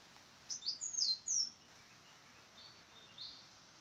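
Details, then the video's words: A bird gives a brief burst of thin, very high chirps in the first second and a half, followed by two fainter high notes against a quiet background hiss. "Sound of bird"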